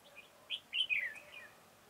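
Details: Red-whiskered bulbul used as a decoy for trapping, recorded 4 February 2018, singing a short run of clear whistled notes, rising then sliding down in a quick warbling phrase over quiet background.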